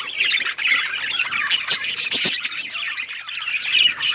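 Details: Harsh, squawk-heavy chatter from a singing male budgerigar during mating, rasping notes run together with a few sharp clicks and brief whistles.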